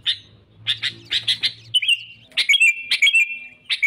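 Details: Sooty-headed bulbul lure for trapping rivals: a cluster of sharp chirps, then a smooth whistled note and a few more twangy whistles, over a faint low hum.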